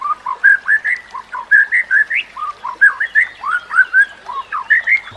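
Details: White-rumped shama (murai batu) tutor song meant to train other birds: mellow, flute-like whistled notes in fairly low, bouncing pairs, upslurred and downslurred, repeated steadily in a rich melodic stream.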